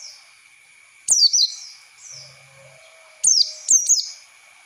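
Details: High, thin descending chirps of an Oriental white-eye in a training lure for young birds, given in brief pairs with long quiet gaps, a soft steady whine beneath.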